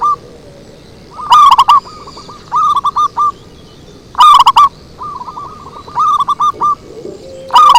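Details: Zebra dove lure call used to attract birds: rapid strings of short, soft, curling coo notes, each burst followed by a looser series of separate coos, repeating every few seconds with loud, harsh, distorted peaks.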